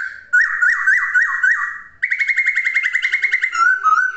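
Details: A laughingthrush (poksay) sings a repeated bouncing whistled motif, then a rapid, even trill of bright notes, ending in lower slurred whistles.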